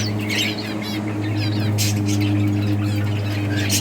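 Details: Chattering budgies at play, kept for breeding, make rapid scratchy chirps and rippling warbles, several birds overlapping, against a heavy, steady electrical drone.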